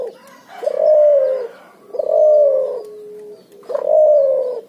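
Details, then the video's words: Three strong, low coos from a cuhu, the barbary dove and spotted dove hybrid, in ngoar nguku style. Each phrase swells and then fades, and a thin level tone links the second and third. "suara burung cuhu gacor ngoar nguku hasil silang puterxtekukur"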